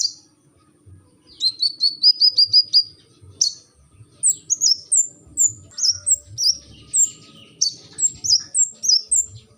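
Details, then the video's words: Brown-throated sunbird song: a quick run of high chips followed by a string of separate, sharp, downslurred high notes repeated roughly twice a second. "kolibri ninja gacor"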